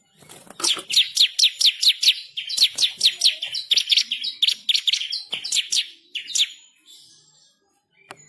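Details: Bar-winged prinia in fierce, rolling full song with sharp bursts. A long, nearly unbroken run of fast, loud, high sweeping notes fades out near the end, with one short note at the close.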